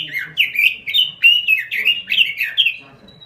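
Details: Robin in full, lively (gacor) song: quick chains of sweet warbled whistles rising and falling, about three seconds long, with a faint thin note at the close.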